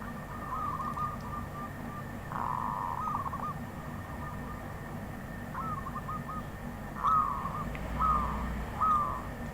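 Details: Wild zebra dove uttering scattered cooing phrases, a short rattled series early on, then a few separate rising-falling coos near the end, amid steady background noise.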